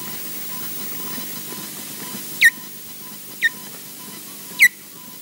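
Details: Ospreys at Loch Garten, Scotland, apparently defending the nest: three sharp, downward-slurred whistled yelps spaced about a second apart, over a steady hiss and a faint repeated electronic tone.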